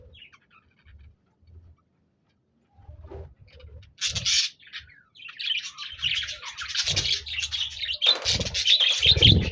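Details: Budgies chirping, recorded 26 January 2024: faint taps and a sudden high chirp burst give way to a building, loud, continuous chatter of scratchy, twittering warbles.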